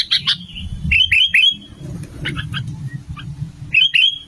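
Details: Sooty-headed bulbul, male and female, used as a lure to draw birds in and make them sing: crisp rising-falling notes in quick triplets, with a softer series in between and a final triplet.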